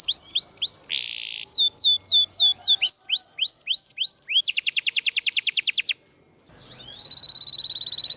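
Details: Tutor song of a canary for birds that stopped singing: bouncy arched whistles, a brief harsh burst, more sweeping notes, a fast buzzy trill, a short gap, then a steady thin whistle with trilling.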